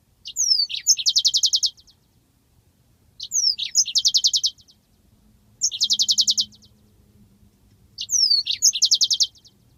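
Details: Yellow-fronted canary master recording of the long rolling 'ngeroll' song: four evenly spaced phrases, roughly every two and a half seconds, each a rising sweep followed by a fast, dense, high trill.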